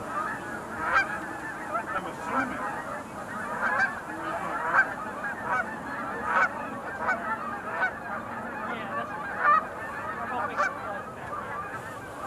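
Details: Sandhill cranes at the Montezuma National Wildlife Refuge Visitor Center pool on 20 November 2021: a dense, continuous chorus of rolling, trumpeting calls from many birds, overlapping without pause.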